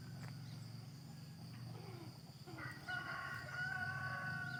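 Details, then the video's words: In the countryside in the morning, a rooster gives a long, steady, strained crow held on one pitch near the end, over a low droning rumble heard throughout. "Crowing Chickens"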